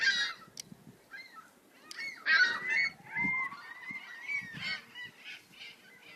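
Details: A busy chorus of gulls, with dense, overlapping squawks and longer wailing cries, including one drawn-out rising call, against a low background rumble and a steady faint hum.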